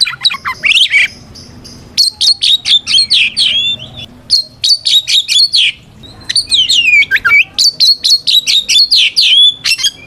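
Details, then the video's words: Fighting song of a white-rumped shama, used to lure other shamas into replying; dense bursts of high chirps, whistled slurs and rapid repeated notes, about two per second, separated by short quiet gaps. "Suara Burung kacer gacor NGEPLONG tarung ini paling ampuh buat PANCINGAN KACER agar EMOSI Nyaut"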